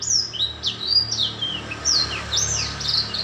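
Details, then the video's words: A young black-throated canary sings high, thin, sweeping whistles and short chirps, about one phrase per second, against a noticeable broadband background hiss and low room noise. "Merdunya nyanyian burung Blackthroat"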